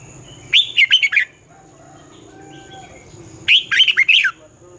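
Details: Red-whiskered bulbul singing in the twisting 'giọng xoắn' style for training birds: two matching phrases of five or six rapid rolling, slurred notes about three seconds apart, over soft low rumble and a faint high tone.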